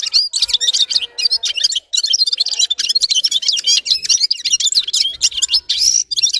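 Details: Red-fronted serin song: a busy, tinkling stream of very high chirps and short trills, running almost without a break and ending in a thin drawn-out whistle.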